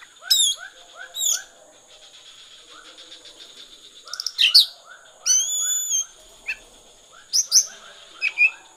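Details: Konslet-style song of an Oriental magpie-robin: bright downslurred whistles, a long wavering whistled note and scratchy high bursts. Softer, steady rows of lower chirping notes run underneath throughout.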